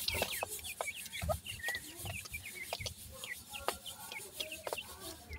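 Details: Francolin chicks (dakhni teetar) cheeping continuously: many brief high slurred peeps overlapping, with crisp clicks and a constant background hiss.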